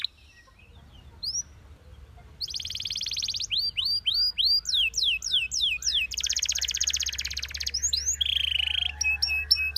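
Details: Belgian canary song for training other canaries, opening after a quiet second with a few sweeping notes, then dense rapid trills, rising slurred whistles and a buzzy roll, over a faint low hum.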